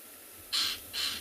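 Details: An unseen Lilac-breasted Roller calls during a sunset drive at Tswalu Kalahari Reserve, South Africa, on 18 December: two harsh, rasping notes about half a second apart, resembling an impala snort, each grating and broad-toned.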